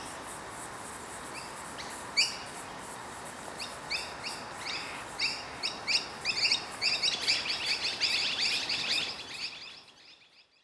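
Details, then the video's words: Young noisy miner fledgling calls to its parents with a run of short, harsh, high notes. They start sparse, then speed into a rapid, insistent series that grows louder before stopping abruptly. "Fledgling Noisy miner calling to it's parents"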